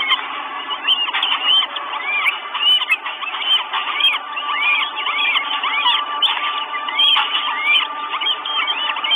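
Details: Four Northern goshawk chicks in Estonia, 1 June 2022, calling for food at the nest on a live camera: a steady mass of squealing, curving whistles mixed with a droning hum throughout.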